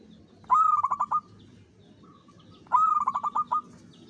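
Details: Zebra dove lure song, a local bird in Mataram pakem rhythm: two loud phrases, each a bright rising first note and a fast run of clipped coos, with a softer drawn-out coo between them and faint low hum behind.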